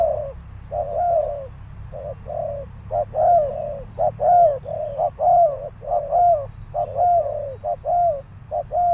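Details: Spotted dove used as a decoy, calling to lure wild doves; a steady run of short, low, hollow coos repeated roughly once a second, each note slightly rising then falling, over a faint low rumble.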